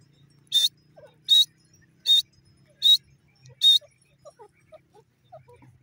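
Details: Grey francolin, locally desi or jungli teetar, giving five loud, harsh, high-pitched notes spaced under a second apart, followed by faint scattered chirps and a low background hum.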